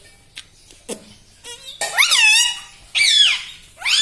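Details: Pet ringneck parrot indoors: soft clicks and short sounds, then two loud, bending, speech-like squawks and a third beginning at the end.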